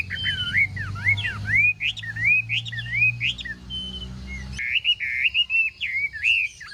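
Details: Chinese hwamei singing during a morning contest: clear, looping whistled phrases rising and sliding down, repeated in quick succession, with a low hum beneath that stops partway through.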